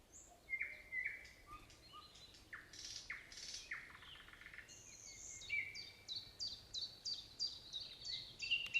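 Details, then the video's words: A nightingale sings a varied, continuous stream: whistles, buzzy rattles and harsh broadband notes, ending in a long series of rapid, evenly repeated high notes. "Песня соловья"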